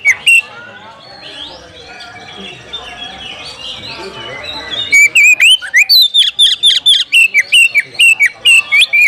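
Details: A challenging Oriental magpie-robin, calling out a rival to fight. After about five seconds of low murmuring background noise, a fast series of loud, piercing whistled notes starts and keeps going steadily to the end.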